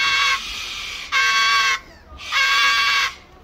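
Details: An attention-seeking cockatoo at Birdland, Bourton-on-the-Water, responding very loudly to greetings, gives three loud, harsh, drawn-out squawks, each under a second, separated by brief pauses.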